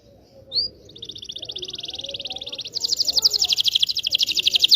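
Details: Canary delivering long training song for young canaries: a brief upslurred note, then a steady buzzy trill that switches into a louder, faster, higher rolling trill.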